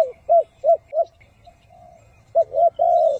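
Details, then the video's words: Spotted dove decoy bird calling in the thúc and gù styles to lure wild doves into traps: three quick low coos, a soft pause, then two short coos and a longer drawn-out coo. "Chim cu gáy 3 HẬU - THÚC - GÙ siêu SÁT BỔI dùng bẫy cu gáy"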